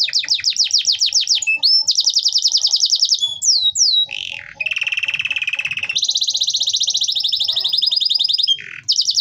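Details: Canary song used to stimulate lazy or silent canaries to sing: fast rolling trills of repeated high sweeping notes, switching between phrases of different speed and pitch, with short buzzy passages and a faint low rhythmic tapping underneath.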